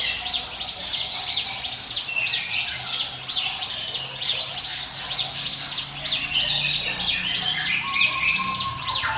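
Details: Lure recording of a hill prinia, a steady run of piercing upswept chirps grouped in bursts about once a second, continuous and energetic over faint low background hum.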